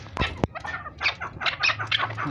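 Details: A caged male chukar gives a run of harsh, clucking chuck notes, about three or four a second, heavier than the female's thinner call, which helps tell the sexes apart. Two sharp knocks open the clip over faint background noise.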